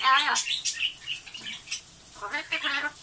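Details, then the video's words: Pet blue-fronted amazon mimicking human speech indoors in the morning, repeating "otsukaresama"; two quick raspy voice-like phrases with a harsher squawky ending. "アオボウシインコ ドスのおしゃべり あー疲れた8連発の巻"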